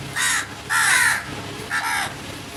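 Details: Crows cawing: three harsh, hoarse caws, the middle one drawn out longest, spaced about half a second to a second apart over a faint background hum.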